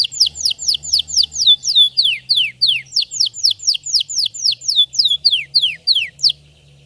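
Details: Red Belgian canary singing a deep, intense song used for training: a steady series of loud whistled notes sliding sharply downward, about three each second, with a faint low hum underneath.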